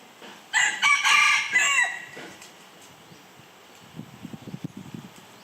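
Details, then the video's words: A Red junglefowl gives one loud, hoarse crow in several choppy parts, lasting just over a second. After it comes quiet, and then a burst of low tapping or scratching sounds. "เสียงไก่ป่าขัน Red Junglefowl call"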